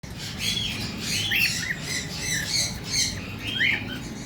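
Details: A white cockatiel gives harsh, chattering squawks and rising chirps in short repeated bursts.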